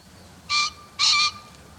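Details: Green pheasant calling, a field-guide recording: a pair of strident, harsh, nasal notes about half a second apart, the second slightly longer, over a quiet background.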